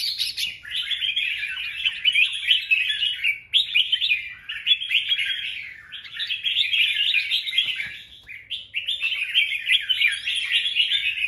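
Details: A male red-whiskered bulbul sings to draw in a female, 24 January 2024. Shrill chattering warbles come in bursts of about two to three seconds, each separated by brief gaps.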